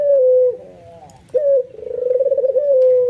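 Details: White albino ringneck dove, excited, in full nodding display that prompts others to coo; a level low coo falls off, a short rising note follows, then a long tremulous rolling coo settles into a steady held tone.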